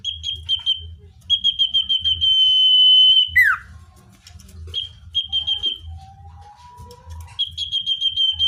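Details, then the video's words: Common iora song as a wild-bird lure. Pulsed note runs stretch into a long high whistle ending in a falling slur, with short phrases and a soft low note after, over a regular low thumping. "Suara cipoh/sirtu (natural)||Cocok untuk mikat cipoh/sirtu liar"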